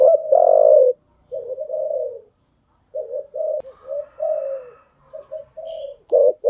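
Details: Decoy spotted dove cooing for training newly trapped birds: a loud opening coo, then a run of lower, softer coo phrases with small pauses, and a final loud coo.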